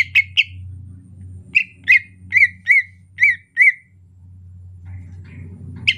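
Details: Soft 'ocehan lemas' song of a greater green leafbird during the rainy season. A short group of ringing whistled notes, each sliding slightly, is framed by quieter gaps and a background low hum.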